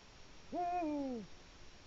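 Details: Eagle-owl calling in the evening at its nest site in autumn, when owls call to show the area is theirs: one strong, deep hoot that swells and then sinks in pitch, in otherwise quiet surroundings.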